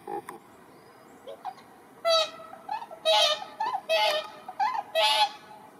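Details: Swans at Asahiyama Park, Iwanuma, Miyagi, on March 1, 2023: a captive whooper and tundra swan call actively to attract six wild whooper swans. Loud, brassy, trumpeting honks come in overlapping bursts, about one per second after a quiet start.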